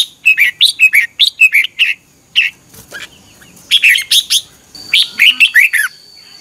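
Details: Red-whiskered bulbul giving its morning competition song in the 'ché căng' style, used as a lure to train and stir other bulbuls; bright warbled phrases of quick chirps in bursts, short pauses between, a thin steady high tone behind.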